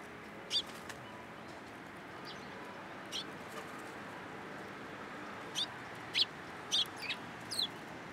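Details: Sparrows at a Tenmangu shrine on 13 April 2023, landing on a hand to take food; scattered high chirps, faint at first and then a denser cluster of sharper notes near the end, over constant background noise.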